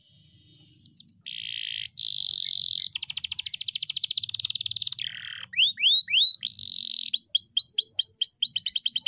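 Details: Caged canary singing a long rolling song: loud, steady buzzy rolls switch to a fast high trill, then a series of rising whistled sweeps and rapid repeated notes, with hardly a pause across the whole phrase.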